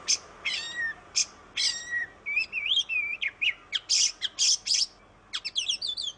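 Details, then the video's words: Oriental magpie-robin singing in a chattering style used to prompt other birds to sing: descending stacked whistles, wavering slurred phrases, loud harsh bursts, then a quick trill of high chips after a brief pause. "Suara burung kacer Kacer ngoceh Kacer gacor"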